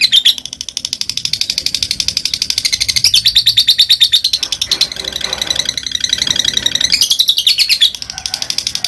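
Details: Lovebird ngekek and ngetik calling meant to make rival lovebirds sing, a long unbroken buzzy chatter of very fast high notes shifting slightly in pitch.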